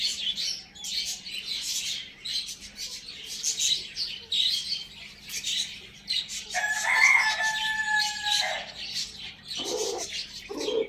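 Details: Pet Lohmann Brown rooster kept with hens, chicks and budgies, crowing in the morning: one steady, drawn-out harmonic crow of about two seconds in mid-clip, surrounded by constant high twittering and chattering from budgies, with short hen clucks near the end.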